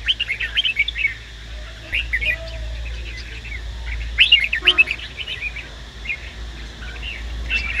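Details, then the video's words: A captive red-whiskered bulbul, a female singing to stimulate a male, gives bright, bubbly chirps and short warbled phrases in quick bursts, with a steady low hum underneath. "Chào Mào Hót .Chào Mào Mái Kích Bổi Ra Giọng"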